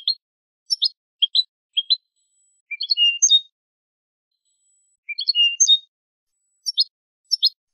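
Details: European goldfinch of Spanish type singing on a tutor recording for young birds. Clipped chirps alternate with a repeated phrase: quick rising notes ending in a drawn, ringing whistle, heard twice about two seconds apart, then more chirps.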